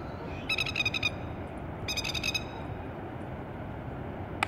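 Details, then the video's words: Plover attacking an intruder on Tuross Head beach: two quick bursts of about six harsh, ringing notes each, repeated rapidly, over a constant rumble of background noise. "When Plovers attack"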